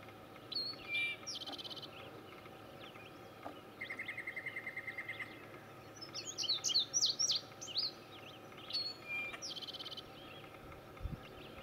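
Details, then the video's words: A male Indigo Bunting in Gamelands 095, Butler County, Pennsylvania, sings a quick series of high, sweet, paired notes, while a dry, even trill and scattered chirps from other birds are also heard. "Indigo Bunting, male"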